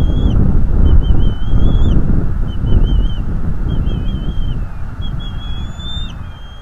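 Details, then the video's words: Father bald eagle on a North East Florida nest cam during an attack on an intruder: strings of high piping, whistled notes nearly buried under strong wind roar. "Father Eagle attacks Intruder on the North East Florida Eagle Livestream"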